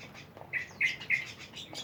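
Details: Mynas in a noisy, lively group; one gives three short, harsh, buzzy chirps in quick succession, each a bright burst, with faint twittering from other birds behind.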